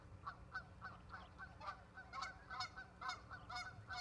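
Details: Ospreys at their nest in Charlo, Montana, on 17 August 2023, in the afternoon, heard through a live nest camera. Short, clipped, slightly harsh chirps repeat about three times a second over steady background hiss.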